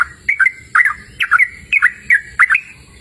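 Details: Sooty-headed bulbul song from a cool open-air setting: five crisp bubbly phrases, each a bright upward note followed by a quick downslur, evenly repeated about every half second.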